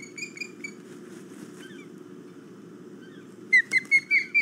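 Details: Ospreys flying around in the early morning of 5 August 2017, one landing on a perch; after quiet stretches of faint chirps comes a loud run of sharp, downslurred whistled cheeps, about five in quick succession, over a steady low rumble.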